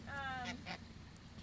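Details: A rescued domestic goose at an animal sanctuary gives a nasal, reedy honk, one drawn-out call with a shorter one after, over a person talking nearby.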